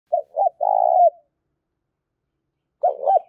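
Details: Tame decoy spotted dove in rural Đồng Nai, Vietnam, cooing in the urgent 'gáy thúc' style used to lure wild doves: two short hollow coos, then a longer drawn-out coo, with another coo phrase after a pause.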